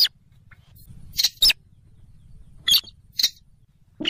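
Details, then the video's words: Rail lure call used to attract birds for trapping, a local rail of swampy marshes near rivers or lakes: short sharp high-pitched squeaky notes in separate bursts, a pair close together then spaced singles over low background hum. "suara pikat burung sintaran sawah / weris /mandar dengkur ampuh"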